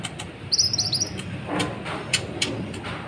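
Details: Sunbird, konin or kolibri ninja, singing to rouse other birds. A quick buzzy high trill early on, followed by softer ticks and faint rustling.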